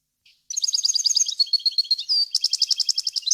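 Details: European goldfinch song meant for teaching fledglings and hybrids: a liquid chattering run of high notes, a short drawn-out whistle, then a series of evenly pulsed bright notes repeated several times a second.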